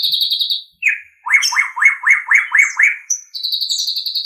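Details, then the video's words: White-rumped shama song used for training captive songbirds: high sustained trilled notes, then a run of seven identical rising-falling chirps about every quarter second, ending in a high rapid trill, on a clean background. "Ocehan Suara Burung Murai Batu"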